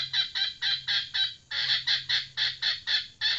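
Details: Loud, rhythmic cackling from a female red junglefowl decoy bird: roughly a dozen harsh bursts, about two per second, broken by one short pause midway, with a low electrical hum.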